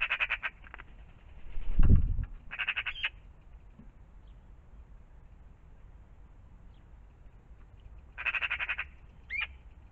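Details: Magpies at a pond in the morning make harsh rattling chatters at the start, middle and end, with short rising squeaky notes after two bursts and a dull low thump early on.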